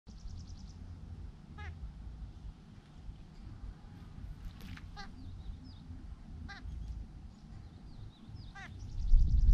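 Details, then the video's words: Large grey babbler calling while bathing: four scattered nasal, harmonic notes, each a quick downward-bending stutter, spaced about two seconds apart over steady low rumble, with a few thin high chirps between. "large grey babblers Call"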